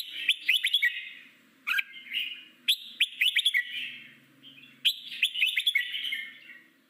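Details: Red-whiskered bulbul singing its wild-type song, used as training audio for young bulbuls: bright, bubbly whistled phrases in quick bursts, pausing about a second between them, with a faint low hum underneath.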